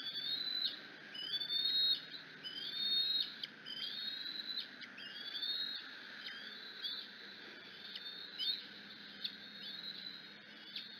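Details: Bald eagle eaglet at the Decorah nest on an afternoon, screeching in excitement as its mother arrives. Repeated high, thin whistled screeches with sliding, wavering pitch, about one every second or so, with quieter gaps between them.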